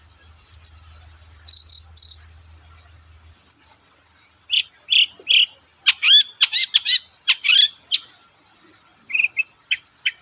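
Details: Long-tailed shrike song used to provoke shrikes to sing: high clipped notes, then rapid sweeping chirps and varied whistled phrases delivered in quick bursts, a low hum under the opening seconds.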